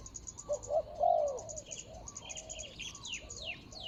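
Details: Spotted dove calling to lure a rival at a ground decoy: one soft, hooting three-note coo phrase early, then fainter coos while other birds give quick descending chirps and insects pulse high in the background.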